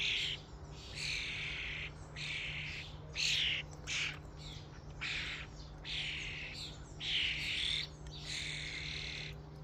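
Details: A starling crowd at a feeding station keeps up harsh, wheezing chatter in separate bursts, with occasional squealing slurred whistles and a low mechanical hum behind.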